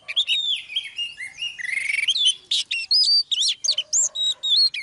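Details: Female Oriental magpie-robin drawing the male into full song: a continuous, lively run of clear whistles, slurred buzzy notes and chattering trills, ending in a series of bright, evenly spaced whistled notes.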